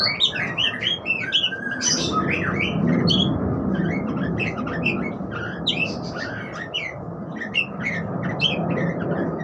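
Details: Budgerigar warbling: a continuous stream of quick, high chirps and twittering notes against a steady low rumbling background noise.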